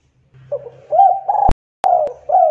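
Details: Spotted dove lure song with short, rounded coos and a steadier hooting note, interrupted by two loud clicks and a gap. A low hum runs underneath.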